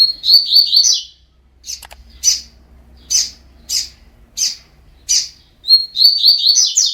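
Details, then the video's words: Training song in the fibra style from a Double-collared seedeater: it opens with a fast, high warbled phrase, then gives six spaced single chips about every two-thirds of a second, then ends with another run of rapid, bright notes. "COLEIRO FIBRA 100%TREINO"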